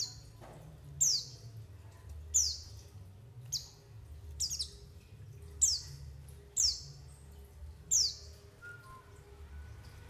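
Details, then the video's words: White-eye calls used to lure birds and get them calling: thin high descending notes, each a sharp downward sweep with a short tail, spaced about a second apart over a low background hum. "SUARA PANGGILAN PLECI UNTUK PANCINGAN PLECI AGAR NGALAS BUKA PARUH DAN UNTUK PIKAT"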